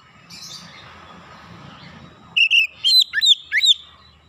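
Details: Oriental magpie-robin calls: after a murmur of background noise, a burst of loud whistled notes, some warbled and some steeply rising or falling, repeated about four times in under two seconds.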